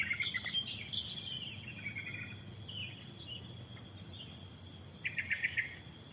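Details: Wild birds singing at the Pos Yellow hiking post, Lemah Duwur trail, Lorokan, Pacet, Indonesia: short high chirps and twittering trills in bursts, a rapid chattering series near the end, over a steady insect hum.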